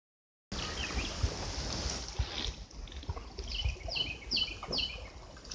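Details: Birds chirp in quick, high, down-slurred notes about twice a second over a steady rumble of engine and wind noise, on the Alapaha River between US 84 and Mayday, 7 May 2016.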